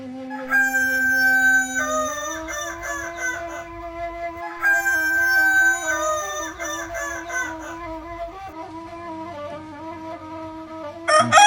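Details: Kokok balenggek rooster from Solok, West Sumatra, crowing in the "Sigayuang luluah" style. Long, sustained, ringing tones step up and down in pitch, with overlapping voices and a sharp burst at the end.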